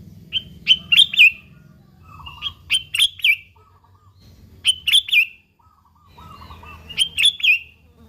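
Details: Lively sooty-headed bulbul singing, recorded plain without added sounds, meant to provoke other bulbuls into song; four clustered bursts of sharp bright chirping notes about every two seconds, softer lower notes between, steady low rumble underneath.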